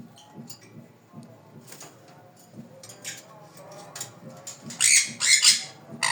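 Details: Sun conure chicks give harsh, raspy squawks in short bursts over faint background music.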